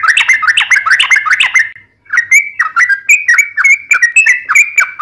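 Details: Sooty-headed bulbul singing vigorously, starting with a fast burst of rich chuckling notes, a brief gap, then evenly spaced liquid whistled phrases.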